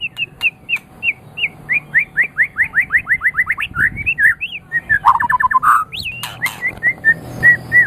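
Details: Master training recording of a white-rumped shama: a long, steadily repeated series of slurred whistled notes, several per second, shifting into lower warbled phrases and a sharp high rising note before more repeated whistles.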